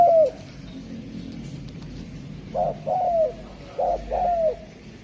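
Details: Derkuku Jawa (spotted dove) cooing softly. A falling coo tail opens, and after a quiet gap come two pairs of short-then-long coos over a low background hum.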